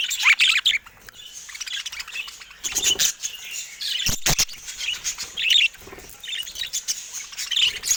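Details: Budgerigars in a cage attacking a camera, chattering in bursts of squeaky warbles and chirps, broken by loud pecking clicks and two sharp knocks around the midpoint.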